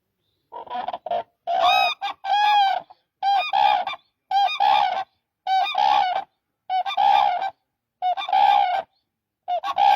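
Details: Demoiselle crane, locally called koonj, giving loud rolling trumpeted calls with rich harmonics, in eight bursts spaced roughly one second apart with short gaps between them.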